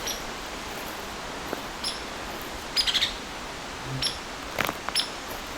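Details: A very worked-up Hairy Woodpecker, possibly near a nest or young, gives sharp high single calls and short quick clusters spaced a second or so apart over steady background hiss.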